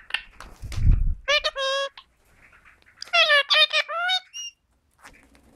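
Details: Talking Indian ringneck parakeets at home: after a low thump, two bursts of nasal, harmonic speech-like syllables, with a faint squeak and soft background noise.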